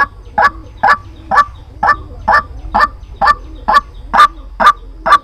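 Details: White-breasted waterhen used as a trapping lure, calling with rhythmic, gravelly croaks about two per second, each note with a faint lower undertone, steady and unbroken through the stretch.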